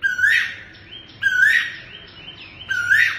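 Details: Black tuwu owl, a bird tied to local myth and described as eerie, gives three loud rising whistled calls about 1.3 seconds apart, each followed by shorter stepped notes, over faint low background hum.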